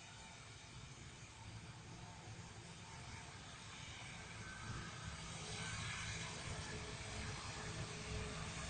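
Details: Steady engine roar like a passing aircraft or vehicle fills the whole recording, broadband and growing slightly louder toward the end, with no animal voice standing out.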